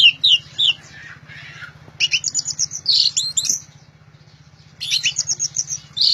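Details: Orange-headed thrush singing loudly in bursts: quick, clear whistled phrases and sharp chirps, high and varied, in groups separated by short pauses, over a steady low electrical hum.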